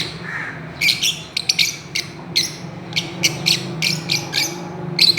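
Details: Chirping Fischer's lovebirds at play on a swing, sharp high notes in loose irregular bursts against a faint low background hum.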